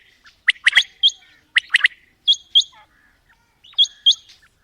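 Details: Quail (batair), female and male birds calling: bursts of sharp stacked notes in quick clusters, then softer paired high notes after a short pause, with little background noise.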